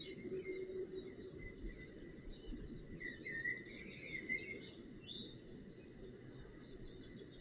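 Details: Northern goshawk chick at the nest during a feeding, 25 June 2018: thin whistled calls near the middle, gently rising then falling and slurred together, over steady low rumbling noise with faint songbirds chirping higher up.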